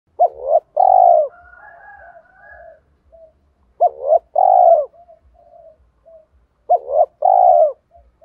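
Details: Spotted dove giving a loud, clear calling coo used as a decoy voice to lure wild doves: a quick doubled note then a long mellow coo, repeated three times, with softer distant cooing between phrases.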